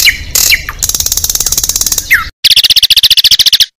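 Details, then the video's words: Competition Oriental magpie-robin delivering isian song material meant to unsettle rival birds nearby: a few rising whistles, then a rapid run of clipped high notes, then a brief gap and a dense buzzy trill of fast repeated pulses. "ISIAN KELUAR LANGSUNG BIKIN DOWN MENTAL MUSUH SATU GANTANGAN"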